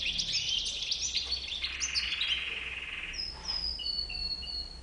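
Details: European goldfinch with a white beard: a burst of rapid liquid twitters and a buzzy trill, then a pause and a few thin, drawn-out whistled notes, with a soft steady low hum behind.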